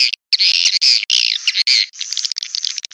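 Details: Sandro swiftlet calling sound for drawing birds into a nesting building: harsh squawking chirps in quick bursts, then a run of short rapid twitters.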